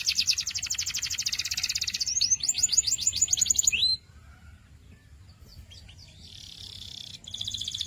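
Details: Canary singing a rapid high trill and a series of quick slurred notes ending in a rising whistle, then a pause before a faint distant trill resumes.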